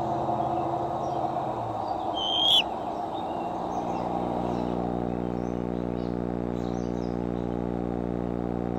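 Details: At the Decorah nest on July 6, 2011, a nest camera catches a bald eagle during an afternoon or evening of comings and goings: a single sharp high whistle rising then falling, followed by a low steady hum and faint rushing.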